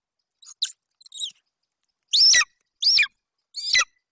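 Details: Eaglet golden eagle, male, at a Bucovina nest in late July 2021, vocalizing over a hare brought by the adult female. Two soft, faint chirps, then three loud, shrill, downward-sweeping cries.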